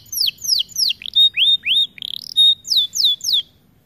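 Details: Loud song from a white AF canary: clear descending whistles alternate with flat held notes and a brief buzzy rattle, each phrase evenly spaced and ringing high.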